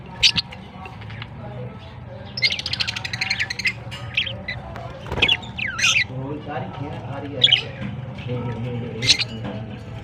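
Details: Baby budgies recorded on September 22, 2023, giving scratchy squawks and quick high chirps in irregular bursts, with music playing steadily underneath.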